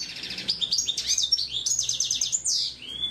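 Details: Hooded siskin singing a fast, varied song of high trilled phrases and twittering notes with quick downward sweeps, continuous throughout with no other clear sounds.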